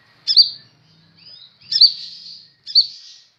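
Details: Three separate sharp, high notes, each a hard onset trailing into a thin falling hiss, from a kept kolibri ninja sunbird described as singing fairly vigorously.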